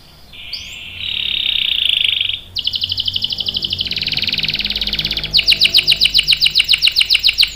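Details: Singing canary performing a long roll, used to tutor young birds: a bright sustained whistle first, then a rapid buzzy trill of evenly repeated notes, dropping lower, then a higher rattling tour of crisp pulses.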